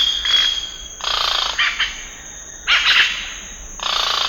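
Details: Scarlet-rumped cacique producing rasping, buzzy bursts in four irregular groups about a second long, over a steady high-pitched background hiss.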